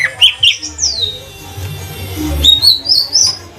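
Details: Captive cucak ijo trotol, a green leafbird from Banyuwangi, used as a lure to get other birds singing. A few clear whistled phrases, one long downward slur, then rising chirps over a soft low rumble.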